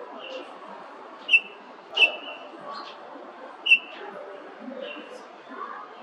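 Golden-breasted starling giving short, clear, high whistled notes spaced a second or two apart, some with a sharp upward flick, over a low murmur of background noise.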